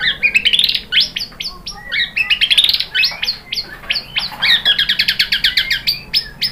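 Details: White-rumped shama singing, played to stimulate other birds into song: dense, fast series of sharp, buzzy and squawking notes mixed with short rising whistles, nearly continuous with brief gaps, over a faint background hum.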